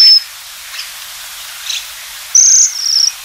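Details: Japanese waxwing calls: a short high thin note at the start, soft faint notes in the middle, then a clear buzzy trill followed by a quieter one.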